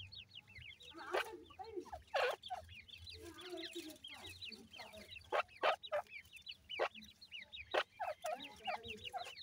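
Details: Many grey francolin chicks of the new season peep constantly, thin descending notes in quick overlapping runs, with loud percussive knocks and rustles scattered through.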